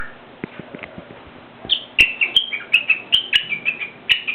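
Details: A newly acquired pet cockatiel kept indoors gives a run of short chirping whistled calls, about three per second, after a quieter start with scattered taps and clicks.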